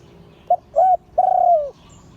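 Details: Spotted dove, auspicious line, giving one liu tan coo. A short soft note and a rounder second hoot lead into a drawn-out, low note that sags at its close. Little else is audible.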